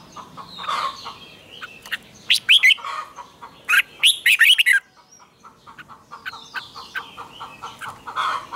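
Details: Bright, fast warbled phrases from a red-whiskered bulbul's morning training song in the tense double twisted style. Two loud central bursts stand out over a steady background of softer repeated chirping.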